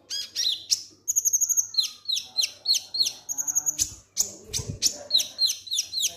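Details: Konin lovebird in ngek ngek style, played to trigger singing: rapid series of sharp, high chirps, downward-sweeping notes and quick trills repeated about three times a second, with brief high whistled bursts.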